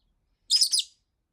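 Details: Pet Fischer's lovebird calling nonstop in complaint after more than a week without play, not stopping even when the camera came close: a single shrill, piercing chirp of about half a second with a slight double pulse, against silence.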